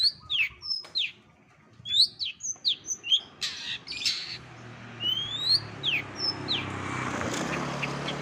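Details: Cendet (Long-tailed Shrike) delivering masteran, a compilation of other birds' calls for training contest songbirds: rapid sharp chirps and quick rising and falling whistled slurs in varied bursts, with a low steady hum building toward the end.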